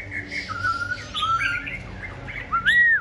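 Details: Caged tame Black-throated Laughingthrush, noted as a strong singer while dueling with a Red-whiskered Bulbul, delivers long, level whistled notes, then a sharp upslurred whistle at the end, with faint low hum behind.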